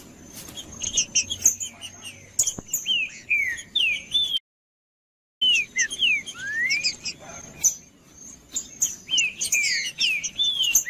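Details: Green-winged saltator singing, used as stimulating audio for cold captive birds entered in tournaments. Sweeping whistled phrases, rising and falling, come in dense overlapping runs, broken by a second of total silence near the middle.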